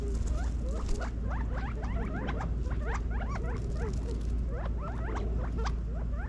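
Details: Fall 2022, Las Vegas, Nevada: California quail feeding and running around a back yard, uttering a steady stream of quick rising chirps from several birds over low rumbling noise.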